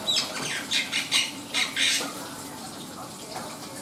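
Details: Black-winged myna singing in full voice: a run of harsh, scratchy, broadband bursts, five or six in quick succession over two seconds, then quieter rasping notes against a low background hiss.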